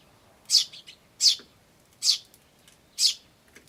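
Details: Sparrow chick chirping "chi chi chi" with adults calling too, recorded in May 2013: four strong high chirps roughly every 0.8 seconds, each trailed by a faint softer note.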